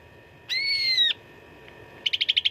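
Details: Cucak ranting fighting song for contest training: one bright whistle lasting about half a second and sliding slightly downward, then a quick run of six sharp pulsed notes.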